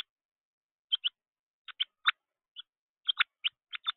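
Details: Juvenile Carolina wren, excited and flapping at a bird feeder: short, sharp chip notes come singly and in quick pairs at irregular gaps, about eleven across a few seconds, with silence between.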